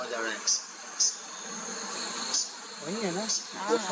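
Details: Yellow-vented Flowerpecker in Dehing Patkai National Park (Soraipung), Digboi, Assam, India, in March 2021: four sharp, high ticking notes in four seconds at uneven intervals over a steady insect hiss, with a person speaking at the start and end.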